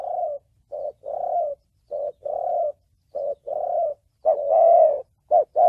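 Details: Spotted dove, thổ bầu style song from Vietnam, used for trapping and training decoys. Evenly spaced short-then-long coo pairs lead to a louder final long coo with a tremulous quaver.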